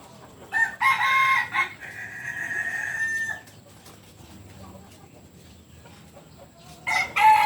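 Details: Kokok Balenggek rooster from Solok, West Sumatra, crowing: a few loud stuttered notes, then a long steady drawn-out tone ending near three and a half seconds, silence, and a fresh crow starting at the end.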